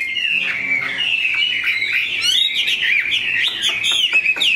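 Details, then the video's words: Large pure-bred Chinese hwamei kept as a songbird, pouring out a dense, unbroken warble of whistles. Quick high flourishes and trills build through the middle and end. "Mi họa thuần, bộ to, chất giọng cực hay"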